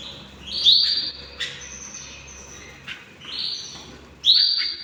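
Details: Hand-tamed pet canaries give bright upward-sweeping whistled notes at roughly three-second intervals, with fainter steady high tones and short clicks between them, in a quiet room.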